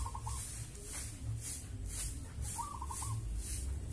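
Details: At dusk a wild local zebra dove repeats its stuttering, rolling coo twice, the phrases about two seconds apart, against rhythmic shrill insect pulses and a low droning background.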